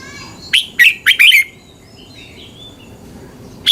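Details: Red-whiskered bulbul from Thailand, song for training or exciting caged birds: one rapid phrase of four rich, rolling notes, followed by soft faint twitters and the start of another phrase.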